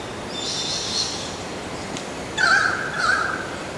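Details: A spotted pardalote at Bawley Point on the South Coast of NSW, Australia, gives two clear, high whistled notes about half a second apart after a faint thin hiss, over a quiet background.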